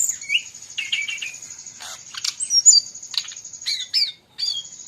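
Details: Bali brown-chested jungle flycatcher in lively song, blended with other bird voices as a training recording: short buzzy twitters and sharp down-slurred chips in quick bursts, a brief pause near the end, with a constant thin high tone behind.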